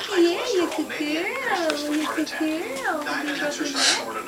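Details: Darby, a pet Derbyan parakeet (Psittacula derbiana), talks to a customer in a nasal, voice-like warble with looping up-and-down tones and short squawky bursts, with indoor room sound underneath.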